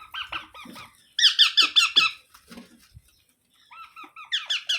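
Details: Baby parrot giving harsh, rasping calls with strong harmonics in quick series, about two and a half per second, in short bursts separated by pauses; faint soft squeaks between bursts, indoors.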